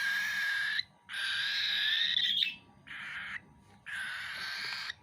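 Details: Baby cockatiel eating food, giving long harsh hissing begging screeches of about a second each with short pauses, broad noisy tone.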